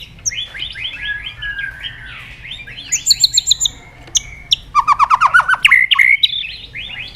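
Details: White-rumped shama in loud, lively song, used as a lure to prompt other caged shamas to sing: rapid runs of repeated downslurred whistles, then bursts of sharp high trills and a cascade of quick rising notes.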